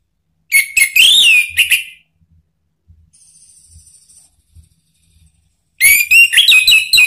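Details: Orange-headed thrush singing as a lure to set other birds singing: a loud second-long burst of varied, slurred whistles and chatter, a pause with a thin high steady tone, then another rich warbled outburst.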